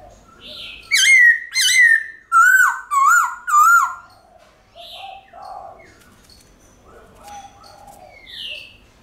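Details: A White-cheeked laughingthrush gives its long-drawn forest song, meant to encourage pet birds to sing: five strong, vibrato-laden whistles descending slightly in pitch, followed by softer scattered warbles and chirps.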